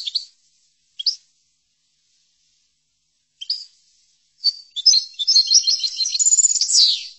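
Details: European goldfinch, chordonier song style used for training caged goldfinches: scattered short sharp chirps at irregular intervals, then a long, fast, excited twittering trill with buzzy elements and a falling sweep near the end.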